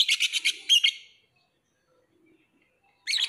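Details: Lovebird giving a fast burst of shrill, buzzy chirps for about a second, falling silent, then starting another harsh chattering run at the end.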